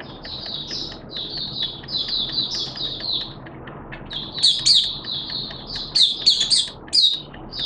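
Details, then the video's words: Malaysian Oriental white-eye, a caged hobby bird, singing its 'buka' opening song on 21 June 2023: repeated high, slurred whistles, then sharper, louder chirps near the end, with low background rumble. "Malaysian Mata Puteh Buka Sing"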